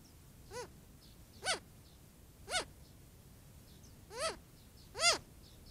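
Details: Adolescent Cooper's hawk begging from its mother at a critter watering hole in the heat: five drawn-out, nasal, rise-and-fall whines repeated roughly every second, with faint chirps of small birds in the background.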